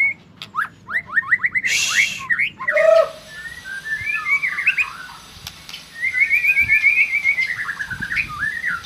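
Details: White-rumped shama song used to lure a silent shama into singing quickly: rapid falling whistled notes, a burst of harsh noise, then rich warbled phrases and a long run of quick rising-falling whistles.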